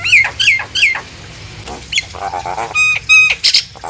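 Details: Nias hill myna vocalising to provoke song from other hill mynas; three sharp falling screeches, a low buzzy rattle, then clear pure whistled notes repeated about three times.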